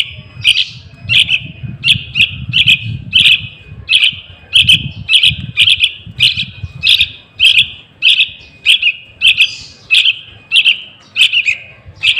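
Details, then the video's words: Juvenile yellow-vented bulbul calling as a lure for wild birds: a steady series of bright, clipped chirps about one and a half per second, with low rumbling noise in the first half. "Suara Anak Burung Trucukan | Pancingan Pikatan Trucukan Liar"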